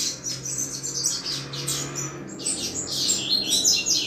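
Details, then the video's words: Double-collared seedeater singing the chuva song style, played to stimulate other males: rapid twittering, chattering phrases running high and continuous, with a steady low hum underneath. "Canto Chuva de Coleiro Top Para Esquentar Qualquer Coleiro!!!"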